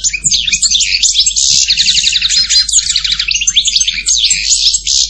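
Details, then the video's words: European goldfinch pouring out fast, high twittering song with rattled trills and chirpy slurred notes, steady and unbroken for five seconds. "Canto jilguero Goldfinch song"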